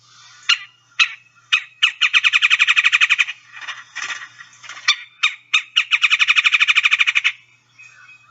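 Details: Red-bellied Woodpecker, an excited bird giving a chattery trill of chug notes: a few single sharp chugs, then two fast rattling runs of about twenty notes each, separated by more spaced chugs, on a clean background.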